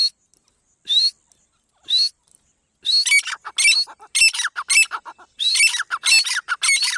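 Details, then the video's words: Dakhni teetar, a partridge, calls twice with sharp rising notes, then breaks into a rapid, dense run of harsh, squeaky, overlapping calls that keep going to the end. "Dakhne Teetar ka Awaaz"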